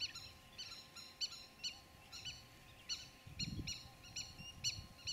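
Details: Nestling Indian thick-knees on a Mekong River island below Stung Treng, Cambodia, uttering sharp, high, slightly harsh notes repeated roughly twice a second, with a brief low rumble midway and a constant faint hum.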